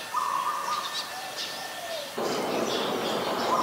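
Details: Adult zebra dove recorded in Ubon Ratchathani, Thailand, on 24 February 2022: one brisk, pulsed trill lasting under a second, followed by a burst of broad, hissing noise over faint chirps.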